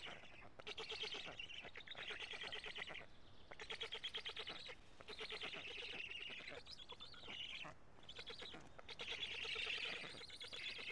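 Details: Black stork at its nest in Karula, Estonia, on 25 June 2017 at 16:24, as an adult brings food: harsh, rapidly pulsed, wheezy calls in loud bursts of several seconds separated by brief pauses.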